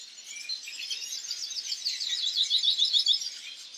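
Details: Goldfinch song: a continuous, high, liquid twitter of rapid chirps that grows louder and more trilled toward the end, roughly three or four notes per second. There is no other clear sound.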